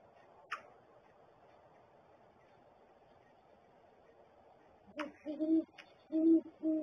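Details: Great horned owl at the nest: mostly quiet with a click at first, then several loud low hoots close together in the final two seconds.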